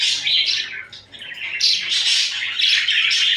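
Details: Companion budgies, caught mid-cuddle and quarrel, pour out nonstop buzzy warbling with quick chirps layered on top, dipping briefly at about one second.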